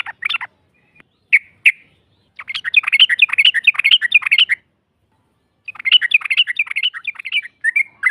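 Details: Yellow-vented bulbul ropel lure to make a rival respond: a few separate chirps, then two long bursts of fast, tumbling, bubbly notes divided by a short silence.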